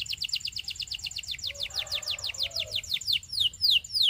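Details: Belgian canary song made of a long series of quick downward-sweeping notes repeated about three per second, slowing into broader falling whistles at the end, over faint low background noise.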